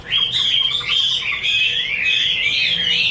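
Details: Chinese hwamei pouring out a continuous loud, rich warbling whistle that wavers up and down without a break.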